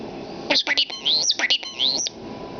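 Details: Pet common starling that loves to talk, indoors, mimicking human speech: a quick run of squeaky, speech-like whistled phrases with sliding high notes and clicks, split by short gaps.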